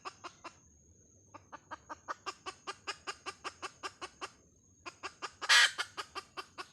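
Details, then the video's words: Chicken hen clucking in quick regular pulses, pausing for about a second, resuming, then breaking off again before a loud harsh squawk amid further clucks. "Suab poj qaib Dib tsauj"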